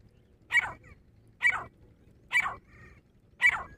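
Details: Harsh, explosive calls from a fighting female grey francolin, known locally as dhakni teetar. Four loud rasping bursts repeat at an even pace of just under one per second over a quiet background.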